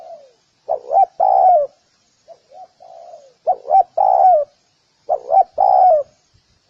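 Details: Three spotted dove coo phrases, each with two short rising hoots and a long descending coo, separated by softer fragmentary coos in the gaps; quiet surroundings.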